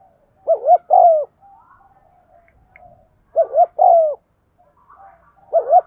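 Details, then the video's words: Spotted dove cooing to trigger calling in birds that stay silent: three two-part phrases of a doubled short note and a falling coo, with faint soft chirps and murmurs in between. "tiếng cu thúc gù hay"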